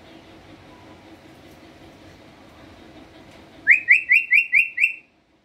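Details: Pet common hill myna, a talking bird, gives six loud whistled notes, each sliding upward, evenly spaced about every quarter second after a quiet low background hum.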